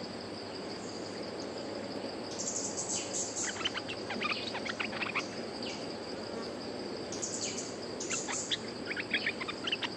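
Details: Resident wild bulbul answering right after a caged lure bird is hung up: short bursts of choppy, rapid chirping notes in several phrases, over a steady high insect drone and background hiss.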